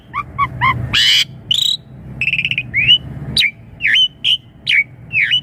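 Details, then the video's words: Asian pied starling song meant to prompt young birds to reply: short paired notes, a burst of harsh buzzy sound, a rattling trill, then a run of loud downslurred whistles repeated about every half second, with faint low hum behind. "Suara Jalak Suren Untuk Pancingan Burung Jalak Suren Muda Agar Cepat Nyaut"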